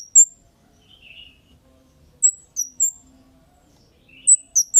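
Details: Kemade calls used as a lure to make other birds respond: sharp, very high chirps in short bursts, a single chip, then a pair, then a closing cluster, with a softer lower chirp between and quiet gaps.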